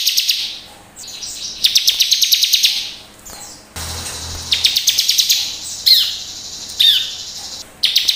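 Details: Bar-winged prinia singing in lively gacor style, a lure track for caged birds. It gives fast runs of high clipped notes, then two clear downslurred whistles near the end. A low hum sounds briefly midway.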